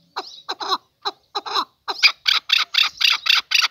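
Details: Male chukar partridge starting with scattered throaty clucks, then breaking into a regular, rapid series of loud harsh chuck notes.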